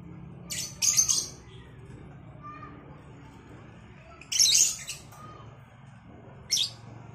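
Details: Morning exchange between Cobalt and Batman lovebirds: three spaced bursts of harsh, shrill squawking chatter separated by quiet gaps, with a steady low hum behind.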